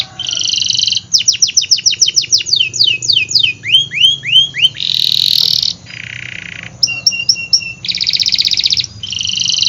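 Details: Canary song mixing rattling trills and rapid down-sweeping whistles, broken up by flat, buzzy block tones that sound artificial or edited.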